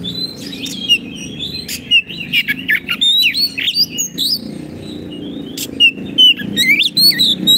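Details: Active, strong-singing caged Oriental magpie-robin, played to train birds that have gone quiet: dense runs of whistled slurs, trills and scratchy chips repeated over and over, over a steady low background drone.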